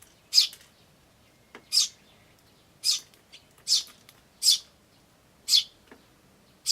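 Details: Tree sparrow chicks and adults, 10 May 2013, chicks chirping "chi chi"; sharp high chirps repeated about once a second, with a few faint lower ticks between them.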